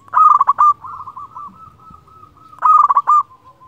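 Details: Local zebra dove, a vigorous singer used as a lure to call rivals: two loud bursts of rapid bubbling coos near the start and end, separated by a long run of soft, evenly spaced purring coo notes.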